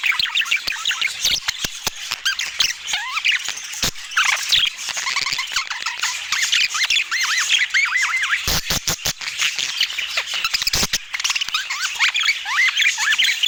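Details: Budgerigars eating in natural Scandinavian light produce a long stretch of warbled chirps and curling squeaky notes, broken by bursts of sharp tapping or pecking clicks.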